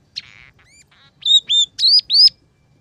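A Scaly-breasted munia gives a soft buzzy note and faint clicks, then four loud, high, arched whistles in quick succession.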